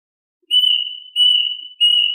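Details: Plaintive Cuckoo calling the flock: three plaintive, high, even whistles in quick succession, each fading slightly, on a silent background.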